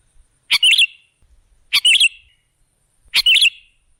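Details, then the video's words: Three crisp, bubbly bulbul phrases roughly 1.3 seconds apart, each a quick tumble of bright notes; sooty-headed bulbul playback meant to lure other birds. "Suara burung KUTILANG jebakan pemikat"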